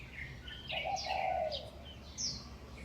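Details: Early-morning birdsong from utility poles in Huanan New Village near National Chengchi University, Taipei, May 2019 around 5:25 am: one drawn-out low coo overlaid by quick, sharp, high chirps and short whistled notes.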